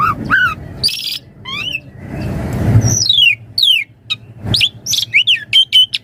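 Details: Javan pied starling singing a varied, lively song for use as a daily master song and lure: loud whistled slurs, rising and falling notes and harsh bursts, with a noisy rasping passage near the middle and low background hum.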